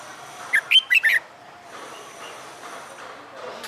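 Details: Caged red-whiskered bulbul, a recently wild-caught bird undergoing fighting-song training, utters one fast phrase of four loud whistled notes near the start, followed by quiet background noise.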